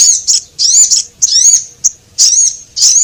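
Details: Lure calls of Javan munia, male and female: closely packed high, quavering chirps with quick ticks in between, almost continuous over three seconds, then a short gap before two more notes.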